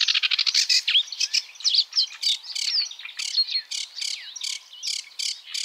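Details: A Sedge warbler delivers a quick grating trill, then spaced scratchy and whistled notes with rhythmic harsh chips repeated roughly twice a second, against a quiet, clean background.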